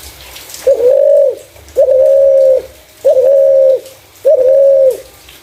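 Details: Clear-voiced spotted dove used to attract other doves. Four evenly paced, smooth, level coos, each about three-quarters of a second long with a short upward start, about one per 1.2 seconds.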